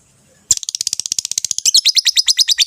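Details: Rosy-faced and Fischer's lovebirds giving a mating sound meant to stimulate the female to breed: after a half-second of near silence, a fast run of sharp, high chirps starts abruptly and grows harsher and more scratchy toward the end.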